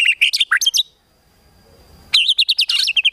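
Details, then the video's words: Rival-provoking song of a white-rumped shama: a quick volley of loud whistled and chattering notes, a one-second pause, then a rapid string of repeated rising whistles, over a faint constant hum. "KRETEKAN TEMBAKAN MURAI BATU MEMANCING EMOSI"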